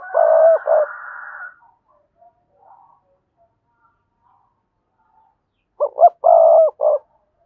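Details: Spotted dove cooing to lure rival males for a fight: a buzzy coo with a hoot at the start, silence, then a second phrase of quick hoots, a longer burred coo and a closing hoot.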